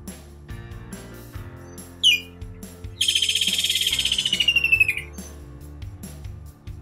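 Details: Stork-billed Kingfisher, a bird of well-wooded habitats near lakes, rivers or coasts: a sharp rising note, then a fast pulsed trill sliding gradually downward for about two seconds, over soft light background music.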